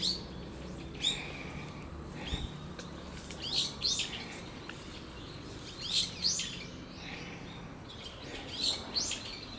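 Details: A brown-eared bulbul gives raptor-alarm calls on 14 November 2013, shrill, high-pitched notes in short clustered bursts every two to three seconds over a faint low rumble; a goshawk was later seen flying, chased off by crows.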